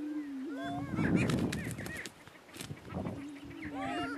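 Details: Two male Greater Prairie Chickens battling on a lek in northeast Kansas: a low boom, then a loud noisy scuffle of wings and bodies, followed by more booming and sharp cackles.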